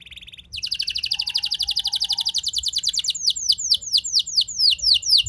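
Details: Rolling canary song played to spur other canaries to sing. A soft trill swells into a loud, rapid rattle, then shifts to slower, repeated downward-slurred whistles.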